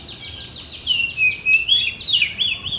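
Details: Blorok oriental magpie-robin in full song while pushing its tail: a rich, varied phrase of rapid slurred whistles and sweeping notes, bright and continuous over a faint background hiss.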